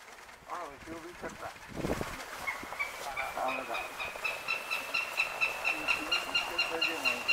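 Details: Adult female Northern Goshawk, a mother bird gathering nest branches in March 2022, gives a steady series of harsh, ringing notes, about two each second, after a brief stretch of speech and rustling.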